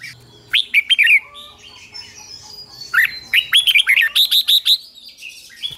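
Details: Captive red-whiskered bulbul being trained to sing sings bright, bubbly phrases of quick rising and falling whistled notes, in two bursts with a short pause between.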